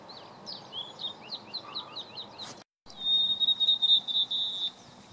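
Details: Blue-and-white flycatcher singing on 30 May 2014: a quick string of thin, down-slurred whistled notes, a short break, then a long, high, sustained whistle with trilled wavering, over a steady low background hiss.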